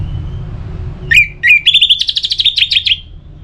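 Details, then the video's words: Caged orange-headed thrush from North Bali, Singaraja, used as a lure to keep birds singing in wet and dry seasons: two sharp whistled notes, then a fast buzzy rattling series of repeated notes, over low background hum. "Pemancing Burung ANIS MERAH Agar Selalu Gacor"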